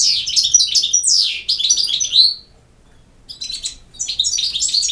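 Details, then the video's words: European goldfinch, campero-style song: quick tumbling chains of bright chirps and slurred whistles, then a brief pause before another rapid twittering phrase. "El Jilguero BiH 25"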